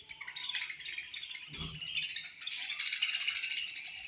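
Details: Budgerigar colony chattering at feeding time; thick, rattling mass of high chirps from many birds, building louder, with one low thump midway.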